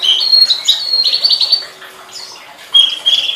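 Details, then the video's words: Flowerpecker singing, recorded as a master track for tutoring songbirds: rapid run of sharp, high chirps and trills over about one and a half seconds, a brief pause, then more piercing, level high notes. "Suara Burung Tledekan"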